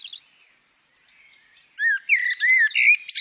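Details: Female common blackbird. Soft, high thin notes come first, then a few low fluted whistles sliding around mid pitch, mixed with squeaky twittering that ends in a scratchy burst.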